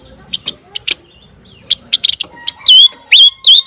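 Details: Scarlet minivet song meant for teaching white-rumped shamas to imitate. Scattered short chirps lead into three loud, rising, whistled slurs near the end over a quiet background.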